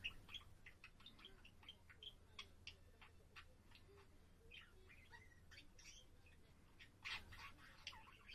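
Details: Pet budgerigar on 7 April giving scattered dry clicks, short squawks and a few bending, whining notes, loosely spaced and fairly quiet, with one louder harsh burst near the end over low hum.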